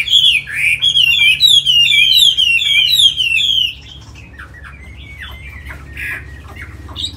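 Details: Chinese hwamei, a tame cage bird in Hà Nội said to sing well, delivers a run of loud, clear, looping whistled phrases for nearly four seconds, then drops to softer scattered chirps and notes.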